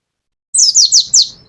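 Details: Mountain white-eye from Pacitan, a caged bird, giving a brisk 'nembak' burst of four loud, high, downward-sweeping whistled notes in under a second.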